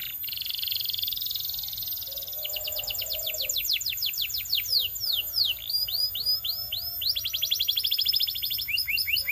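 Belgian canary singing a fast, bright song of rapid trills and repeated downslurred notes, shifting between rolling and chopped phrases; faint background hum.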